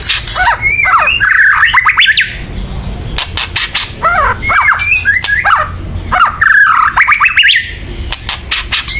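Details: White-rumped shama in loud agitated chattering, used to rouse other birds to sing: three bursts of rapid zigzag whistled notes, each cut through with harsh rattling clicks.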